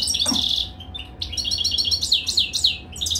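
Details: A short burst of liquid, high-pitched twittering from a caged European goldfinch while mating, quick sweeping chirps tumbling together over a faint background hum.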